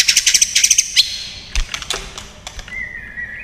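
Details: Fighting song of a white-rumped shama, a long-phrased singer: rapid repeated high notes, then scattered sharp clicks and a thin rising whistle at the end.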